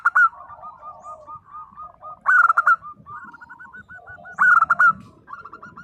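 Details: Local zebra dove, actively singing in 'nembak' style to get silent doves to answer: three loud bursts separated by long runs of soft, evenly repeated coo notes, with faint low noise.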